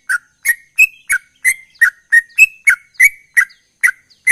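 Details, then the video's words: A yellow-vented bulbul sings actively in a fast run of short, bubbly, liquid notes, about three each second, each with a slightly sharp edge, with no other sounds. "Trucukan Gacor Ropel"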